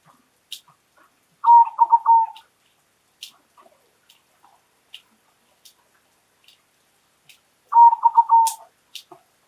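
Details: Loud-voiced local Indonesian zebra dove repeating its call twice about six seconds apart, each a rapid run of pulsed coos ending in a drawn-out note, with scattered faint clicks and ticks between phrases.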